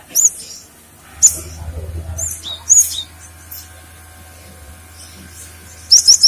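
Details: Cinereous tit singing, a recording for luring and training other birds: isolated crisp, very high whistled notes spaced about a second apart, ending in a rapid triple of sharp chirps; faint low hum underneath.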